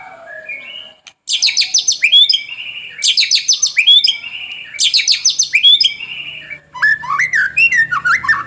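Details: Gacor song of a white-rumped shama (murai batu), used as a training lure for morning and afternoon: three matching rich phrases of rapid high trills ending in down-slurred whistles, then varied lower warbling notes.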